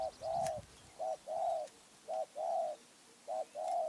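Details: Spotted dove from Phrae, Thailand, cooing: a short note then a longer drawn coo, the pair repeated about every second, mid-pitched and even, over quiet background with faint low rumbles early on.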